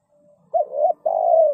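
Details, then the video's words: Decoy spotted dove used to lure wild doves into a ground trap utters a two-part coo: a short swelling note then a long, even, mellow one. "chim cu mồi gáy gọi bổi"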